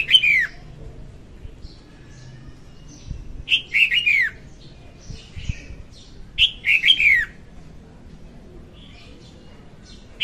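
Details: Female red-whiskered bulbul song, used as a trapping lure: three lively whistled phrases, each a bubbly string of notes sliding down at the end, repeated roughly every three seconds, with soft faint chirps between.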